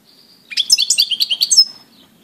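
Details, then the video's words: European goldfinch singing on 17 April 2018, a quick tinkling phrase of bright, twittering notes lasting about a second, with a thin whistle before it and a faint low hum in the background. "Goldfinch,Stiglic,Grdelin, Stieglitz, Chardonneret , El jilguero,bird"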